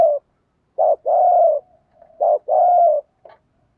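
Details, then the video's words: Spotted dove used as a lure bird, cooing thúc gù style: two phrases, each a brief low note then a longer steady coo, ending with a soft short note. "chim cu mồi bài bản THÚC GÙ bài bản nhất hiện nay, cu cườm bài bản dùng kích bổi hiệu quả. cu gáy"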